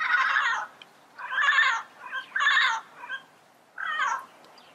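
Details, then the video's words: Yellow-headed amazon uttering harsh, drawn-out squawks with a wailing, cat-like quality, four main outbursts with softer notes between, in a quiet setting. "Yellow Headed Parrot Sound Bird Call"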